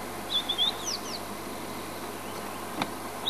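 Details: A singing White-browed Scrub-robin perched in a buffalo thorn at Djuma, South Africa, gives a brief burst of high, thin whistled notes, then a couple of quick down-slurred phrases, over a low steady background hum.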